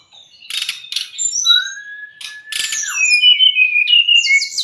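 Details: White-rumped shama tutor song for untrained or stressed birds: harsh noisy bursts, then a long rising whistle and a quick run of liquid descending notes and high twitters.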